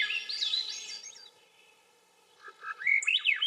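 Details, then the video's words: Swainson's thrush sings two flute-like phrases about a second apart, each a quick spiral of notes climbing upward in pitch. "Swainson's Thrush - Bird Sounds"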